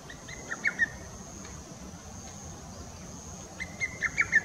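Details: Lesser cuckoo, recorded 22 June 2017, singing two phrases of about five to six short, loud, staccato whistled notes, each phrase a quick rushed sequence, with a steady high insect-like hum throughout.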